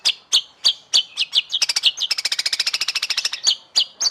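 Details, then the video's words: White-rumped shama singing for song contests: loud separate slurred notes repeated about every third of a second frame a long, rapid, even chip trill in the middle. "Masteran Burung Murai Batu Paling Di Lirik Juri"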